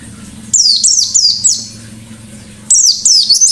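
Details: White-eye giving loud, rapid 'ngalas' style song: two bursts of high, sharply descending whistled notes tumbling in quick succession, separated by a quiet pause, over a low background hum.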